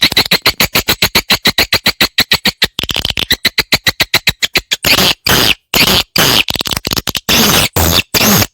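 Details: Swiftlet call played to lure swiftlets to come and nest in a prepared site: a rapid train of sharp, dry clicking chirps, about 140 per minute, giving way to longer buzzy, rattling bursts separated by short silences.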